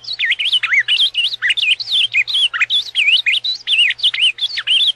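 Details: Ultramarine grosbeak in paraná song: a lively stream of loud, slurred whistles that bend sharply up and down, with barely any pause between notes and a faint steady hum underneath.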